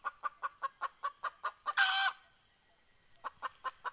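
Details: Captive decoy hen of red junglefowl cackling to attract wild fowl, 20 April 2020: nine rhythmic, quick clucks build to a loud rasping squawk, then silence and four more clucks.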